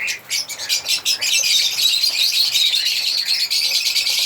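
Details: African lovebirds, starting with quick pulsed squeaks and moving into a continuous high, shrill twittering chatter from several birds.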